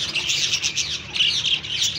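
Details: Budgerigars in a breeding colony chatter with busy, scratchy warbles and squawks, high-pitched and continuous.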